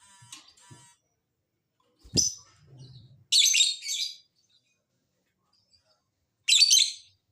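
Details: Lovebird call to stir lazy lovebirds into answering: faint chips, a sharp click, then two loud harsh buzzy chattering bursts about three seconds apart.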